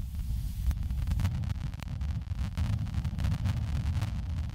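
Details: Heavy wind buffeting the microphone, producing a deep continuous roar.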